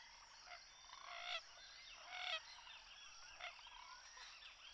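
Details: Common gallinule (Gallinula galeata) uttering loud, harsh, honking squawks, two strong rasping bursts about a second apart followed by a shorter one, with faint bubbling calls in the background and steady hiss.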